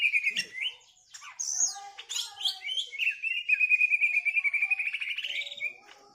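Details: Female greater green leafbird song, opening with whistled slurs and high sharp notes, then a long, fast, even trill held at one pitch for nearly three seconds before fading out.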